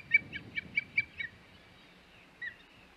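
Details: Osprey on the Hog Island nest, 21 May 2021: six quick, high whistled chirps falling slightly at each end, then a lone faint note, over soft low background rumble.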